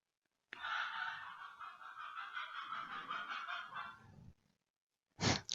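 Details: Rooster crowing in the background at midday in the south of France: one long, drawn-out harmonic crow lasting about four seconds, wavering slightly before fading, then silence and a short loud burst of noise.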